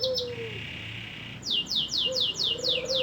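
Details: Vigorously singing canary, recorded as tutor song for competition birds: two high notes, a sustained buzzy trill, then about seven evenly repeated descending sweeps, with faint low whistled slurs behind.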